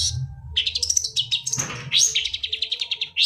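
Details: Energetic, nearly continuous song of a long-tailed shrike, meant to help silent birds start singing: rapid high twittering notes, rising sweeps and chattering trills repeated several times a second, with a low rumble underneath.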